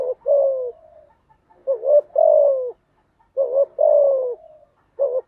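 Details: Spotted dove cooing, a recording used to train newly caught doves to sing: each phrase is a short throaty note followed by a longer, slightly falling slurred coo, about three phrases in five seconds against a quiet background.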